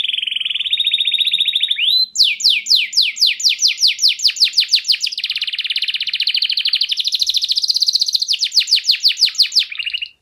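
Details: Lively canary singing clearly, a song meant to coax canaries that have stopped singing: a high rolling trill, then a long run of rapid downward-sweeping notes merging into dense warbled rolls, continuous and loud.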